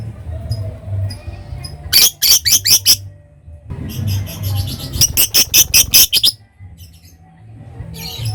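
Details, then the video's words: Lovebird in long ngekek chatter, a prized song style said to provoke rival birds: two bursts of fast, harsh, high chattering notes, the second a run of about a dozen rapid squeaks, with quiet gaps between them. "Suara Love bird Bikin Emosi Lawan ngetik lanjut ngekek"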